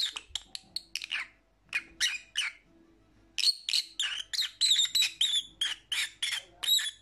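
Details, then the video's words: Lovebirds, kept as pet parrots, giving rapid harsh chattering chirps with high squeaky notes, bursts repeated several times a second with a short pause midway, then a dense run of sharp calls. "Lovebird Sounds"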